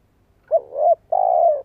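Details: A single cooing phrase from a spotted dove decoy meant to get other birds cooing: a soft wavering opening note, then a long, even, low coo that tapers away at the end.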